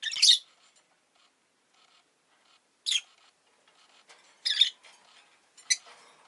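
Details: Rosy-faced lovebird at home around egg-laying time: four scattered, sharp, high squawky chirps with long quiet gaps between them, plus faint background clicks.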